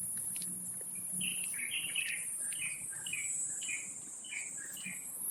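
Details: Wild Taiwan Blue Magpies rearing nestlings at Taipei Zoo, 7 May 2022, 11:43. Short harsh chattering notes come in quick clusters throughout. A loud, steady high insect drone runs underneath.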